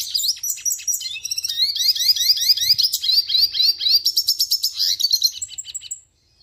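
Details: Red siskin singing a rapid series of repeated high, downslurred notes, rolling into a trill before ending in silence.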